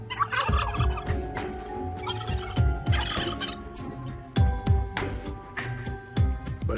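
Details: A young wild turkey that has lost its flock gobbles in rapid, rattling, low throaty bursts every couple of seconds, a call heard a mile away, with no response, over soft orchestral music.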